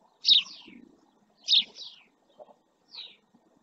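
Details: Male house sparrow beside a camera in Doñana National Park's El Rocío marsh, Spain, uttering two strong descending chirps with trailing tails, then a softer third; a few faint low ticks between.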